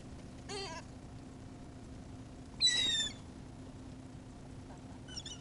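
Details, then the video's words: Seagulls being fed give short, harsh, harmonic cries: one near the start, a louder, higher one midway, and a faint third at the end, separated by quiet steady hum. "Feeding the seagulls"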